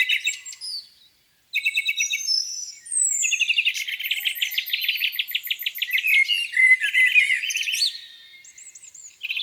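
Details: Spring morning birdsong beside a lake, several birds singing at once: bursts of fast high chirps, a rapid buzzy trill in the middle, thin sweeping whistles, and a short silent gap early on.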